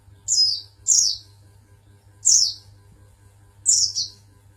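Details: Prize-winning Oriental white-eye from Pangandaran giving four separated high, sharp chirps, each sliding downward, spaced roughly a second apart, with a constant low hum underneath.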